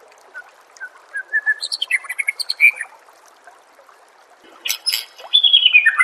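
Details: White-rumped shama song meant to teach songbirds: soft whistles building into fast chirping phrases, a pause, then loud harsh notes and a falling whistle.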